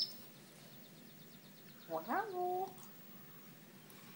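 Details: Pet African grey parrot asking to go out with small, very soft calls: after quiet, one brief run of wavering, whistled tones that bend up and then level off into a soft held note.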